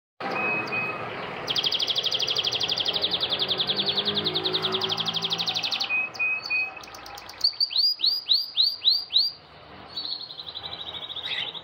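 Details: Male canary in captivity singing vigorously to a red female during breeding season to win her over: a long, rapid, buzzy trill held steady for several seconds, then a run of sharp descending whistled notes and a final high rolling phrase.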